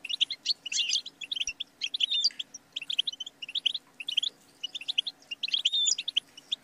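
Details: Bright, busy goldfinch twittering in clustered bursts, with buzzy notes and thin sweeping whistles near the start and end; song played to train songbirds.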